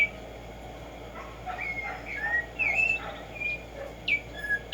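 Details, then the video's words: Black-striped sparrow song in nature, played to stimulate singing: scattered whistled slurred notes, some rising and some falling, several in quick succession with short gaps, over a steady low hum. "HACER TRINAR a Tumba Yegua Audio para estimular el CANTO a estas bellas aves"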